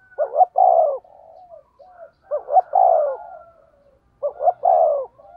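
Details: Spotted dove used as a decoy, 'thổ'-voiced, cooing in 'thúc gù' style: three phrases, each two short notes followed by a longer descending coo, linked by quiet low murmuring.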